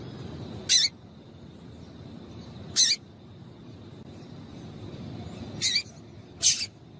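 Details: Female double-collared seedeater giving sparse, sharp high chips, single notes spaced roughly two to three seconds apart, the last two closer together; a call used to excite males into song, over a low hum.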